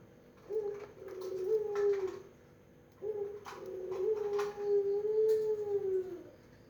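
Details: Two successive coos by a melodious pelung Barbary dove, each a short lead-in note then a prolonged, smooth low hum, the second stretching over three seconds, with light tapping noises.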